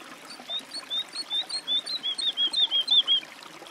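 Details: Woodlark song: a steady series of fluid, whistled notes that start soft and become louder and quicker, each note gently descending.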